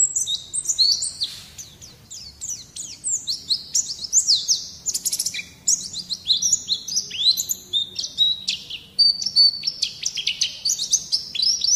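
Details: Young captive white-eye, a pleci bakalan, hears a masteran training recording meant to draw out its singing: dense, rapid high twittering of short sweeping and chirped notes in continuous bursts, with no other clear sounds.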